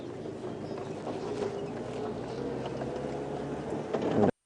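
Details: A steady low engine drone with faint voices runs throughout, ending in a short drop to silence; no animal sounds are heard.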